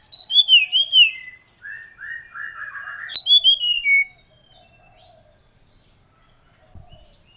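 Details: An excited brown-chested jungle flycatcher calls a rival with a lure song: loud slurred whistles, then lower warbling notes, a second bright phrase falling in pitch, and faint scattered chips afterward.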